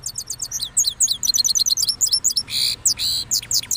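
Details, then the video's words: Cross goldfinch from Parachinar, recently moulted, in full rolling song: quick high twittering notes tumbling in fast sequence, ending with a few harsher buzzy notes and downward slurs. "Cross Gold Finch Part 3 After Moulting Rolling Songs"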